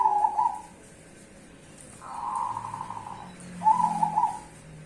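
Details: Duet of cemani and Bangkok zebra doves: short rolling coo phrases, a brief trill, then a longer purring coo and a final bubbling burst, with faint low background noise.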